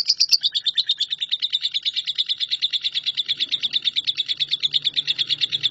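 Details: Lovebird singing in the long unbroken 'nyambung kuntilanak' style, recorded as tutor material for shrikes: a fast, steady chattering trill of sharp high notes, starting slightly higher then holding level for nearly six seconds, with a faint low hum beneath.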